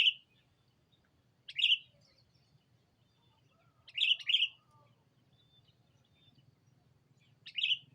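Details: Lure call of a sooty-headed bulbul challenging a rival: short bright chirps at irregular gaps, some single and one doubled, in an otherwise quiet setting with a faint low hum.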